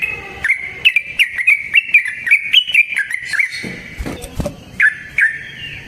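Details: ["Yellow-vented bulbul singing the 'ropel' style trucukan song used to prompt other birds: a run of quick chirpy notes, a few knocking thumps midway, then two final lower notes."]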